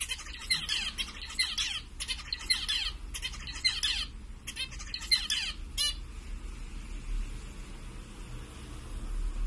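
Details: Group of zebra finches, some white; bursts of nasal, trumpeting honks for six seconds, then quiet with only a faint background hum.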